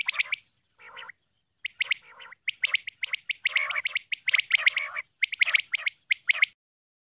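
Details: A female common quail calls with clicky, staccato notes grouped into short rasping bursts, some lower and softer, repeated rapidly for several seconds in clean, quiet surroundings.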